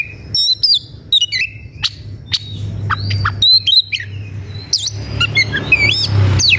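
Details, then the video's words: White-rumped shama in high emotion, searching for a rival to fight, sings a varied run of whistles, sharp downslurred notes and buzzy bursts, growing denser near the end, over a low background hum. "KACER EMOSI CARI LAWAN/ Suara kacer gocor dan emosi cari lawan tarung"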